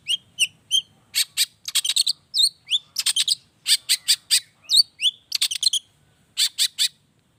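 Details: Long-tailed shrike giving 'toet toet' variation song meant to coax other cendet into singing; short whistled notes alternate with fast clustered rattling buzzes, a brief pause near the end, quiet surroundings.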